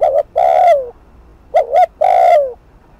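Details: Fast 'thúc gù' cooing of a spotted dove, used to provoke rivals: paired short coos then a long descending coo, repeated twice, clean and close with little background.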